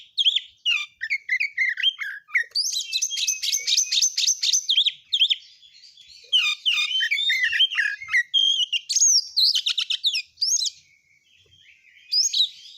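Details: Oriental magpie-robin, a kept songbird, singing a long, fast, densely packed song full of mimicked phrases: rapid buzzy trills, sharp chirps and whistled notes, high-pitched throughout, with short pauses between bursts and a quiet background.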